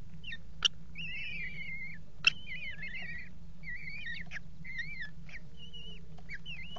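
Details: Mating pair of Eurasian kestrels on a water tower nest box rim, February 2018: a stream of quavering, whiny calls that rise and fall, broken by a couple of sharp knocks, with a steady low electrical hum.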